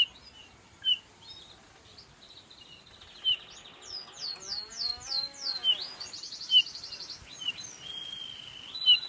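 A male Eurasian bullfinch gives short high chirps and a run of quick falling whistles mixed with a creaky, buzzy phrase, against faint background noise.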